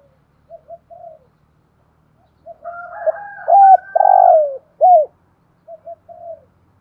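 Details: Decoy spotted dove with the 'thổ' voice style, cooing and calling: soft short coos, then a rising, buzzy phrase of three loud, hollow coos, the middle one longest, followed by quieter soft coos. A faint low hum sits beneath.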